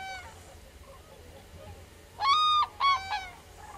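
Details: Common crane giving two loud, ringing trumpeting calls in quick succession, each about half a second long and rich in overtones, after a quieter opening with a faint distant call over a low background hum.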